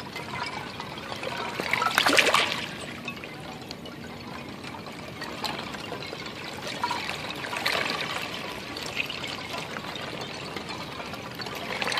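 Water pouring and trickling, with louder gushes near the start and again toward the end, and no animal voices.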